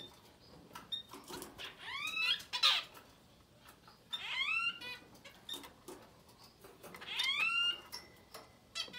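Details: Young Society finch chicks, up to ten days old, give three bursts of rapid, rising, buzzy harmonic calls about two to three seconds apart, with faint clicks and rustling between them.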